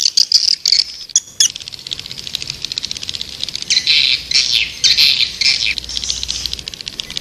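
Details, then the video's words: A swiftlet chorus of high, rapid chirps opens in a brief loud burst, pauses, then returns as steady buzzy twittering with quick rhythmic pulses. "Suara Burung Walet"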